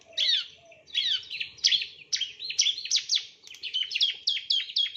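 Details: Bar-winged prinia (ciblek), male, song used as a master recording for training other birds: rapid high-pitched chattering notes and sharp down-slurred chirps in dense bursts, continuous, with faint low background hum.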